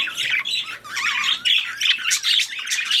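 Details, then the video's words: A breeding budgerigar, or parakeet, during mating makes short grating squawks and wavering chirps in quick bursts, several in three seconds. "Budgies / parakeets | Mating / Breeding"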